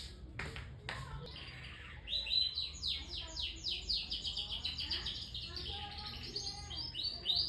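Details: Young canary, still learning to sing, delivering fast repeated whistled notes and trills after a few sharp knocks at the start, over a low background hum.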